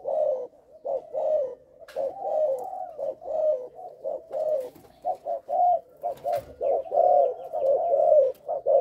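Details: Stuttering three-note opening from a young caged spotted dove of the Malaysian line: steady low cooing in close, slightly wavering bursts, almost continuous, one faint click midway.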